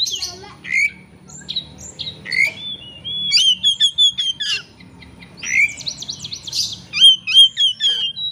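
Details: White-rumped shama singing as a lure to provoke a rival into full song: loud varied phrases of clear whistles, sharp upslurred notes and rapid trilled bursts, with brief pauses between outbursts.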